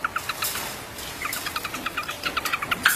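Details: Grey-backed shrike (Lanius tephronotus) giving a rapid run of short, clipped notes, roughly six to seven per second, with a brief pause near one second, then the series resuming and ending in a louder, slightly harsher note.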